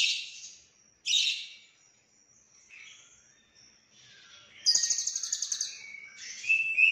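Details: Lovebird producing scattered shrill squeaks and harsh bursts, then a quick rattling series of sharp chirps and a final high whistled note.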